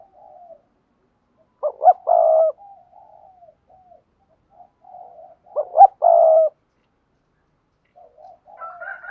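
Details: Spotted dove giving urging coos for training newly caught doves to coo along; two strong burred coo phrases about four seconds apart, each opening with a quick stutter, soft low murmurs between and a fainter call at the end.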